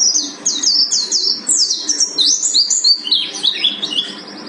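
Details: Mountain white-eye of the buxtoni form from Gunung Karang, singing in 'tembakan' bursts: fast, shrill descending whistles strung together in a tumbling, excited stream, with higher twittering notes toward the end.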